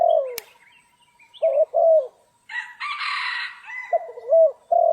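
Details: Spotted dove calling during trapping on a stormy, rainy day in Vietnam: low, rounded coos in short phrases, one drawn-out coo opening and closing the passage, with brief higher chirps from other birds in between.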